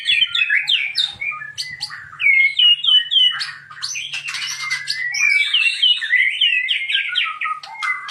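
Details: White-rumped shama pouring out a dense, varied song of quick upslurred whistles, chirps and scratchy bursts, phrases tumbling together with barely a pause, a faint low hum beneath during the first five seconds.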